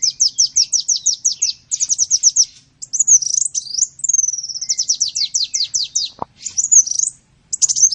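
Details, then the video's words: Sunbird singing for songbird training: bursts of quick downslurred chips alternate with looping warbled whistles, repeated through the phrase, with one sharp click partway. "Masteran burung Kolibri"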